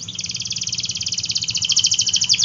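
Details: Canary singing as a lure to coax quiet and young canaries into song: a continuous, very fast high trill of evenly repeated notes lasting throughout, steady and slightly buzzy.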